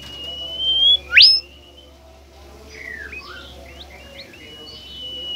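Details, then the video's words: Shy, rare bimoli bird reacting to a lure recording: a sustained high whistle leading into a loud, sharp rising sweep, then a quieter string of short slurred chirps and notes ending in a thin level whistle. "burung bimoli DIJAMIN NGAMUK dan GACOR dengan pancingan bimoli ini"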